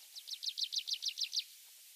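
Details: Tree pipit song from a wild bird in Mongolian mixed woodland. About nine bright, high, slurred notes are repeated at a steady quick pace, then the song stops, leaving quiet background hiss.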